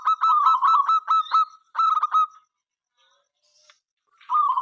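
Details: Local zebra dove calling to entice other doves to sing: a long string of rapid staccato coos, then a quiet gap, and a fresh phrase starting at the end.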